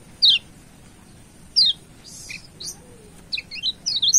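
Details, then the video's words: Yellow white-eye from Lombok, kept as a master song for training and to provoke a rival: a few sharp, high descending chirps spaced more than a second apart, then a quicker run of short high notes near the end. "Masteran Kecial Kuning GAK PERNAH ZONK‼️Pancing Jos LAWAN‼️"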